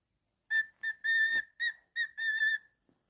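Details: Pet cockatiel whistling a steady, flute-like tone in six pulses of differing length, the pitch staying level throughout in a quiet room.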